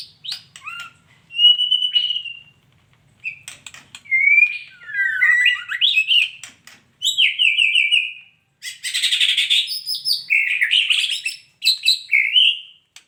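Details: Female white-rumped shama giving a varied series of whistled and chirping phrases, some sliding up or down, others scratchy and buzzy, delivered in bursts separated by short pauses over about thirteen seconds.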